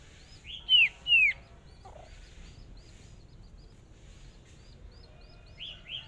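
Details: Hwamei decoy bird in its first practice at a small singing match: a pair of bright falling whistles, then faint repeated hooked notes and a brief low sound, ending with two more whistles.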